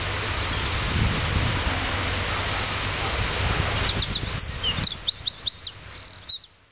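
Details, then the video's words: Wren song from a Eurasian wren: after several seconds of rushing noise, a run of loud, very high, sharp notes and short trills lasting under three seconds, ending with a fading buzzy note. "Winterkoning aan het zingen"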